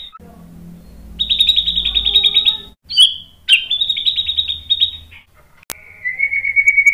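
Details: Agitated white-rumped shama song for provoking other males: long, rapid high trills with sharp accented notes between them, ending in a steadier lower trill.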